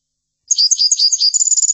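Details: Short burst of European goldfinch song used for tutoring: quick high tinkling chirps running into a fast even twitter at the end, clean background.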